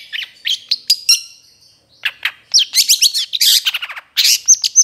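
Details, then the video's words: Long-tailed Shrike (cendet trotol) in a training recording for other birds, singing a varied medley: quick high chirps and clear whistles, a short pause, then a buzzy scratchy burst and ringing whistled phrases. "MASTERAN CENDET TROTOL"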